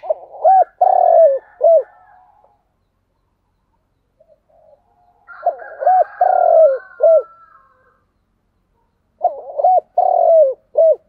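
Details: Three repeated phrases of spotted dove 'thúc gù' cooing about every four seconds, each with clipped hooked notes around a long throaty rolling coo, plus faint higher twittering between the first two phrases.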